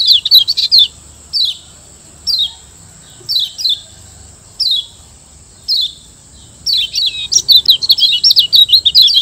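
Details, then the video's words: A Lombok yellow white-eye (kecial kuning) gives a master song: high, sweet chirping phrases about once a second, then a fast run of twittering over a steady high insect-like hiss. "Masteran Kecial Kuning"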